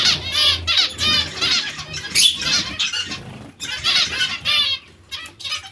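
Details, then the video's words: Zebra finches uttering nasal, buzzy notes in rapid irregular series, roughly three a second, with pauses and faint flutters. "Il diamante mandarino o bengalini"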